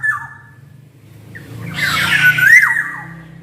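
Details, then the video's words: Black-naped oriole (kepodang emas) singing loudly. The recording is meant as a lure to prompt quiet orioles to sing. A short descending whistle opens, then a harsh noisy burst blends into a rising fluty whistle. A low hum runs beneath. "Suara kepodang gacor ini bisa di jadikan pancingan kepodang malas bunyi"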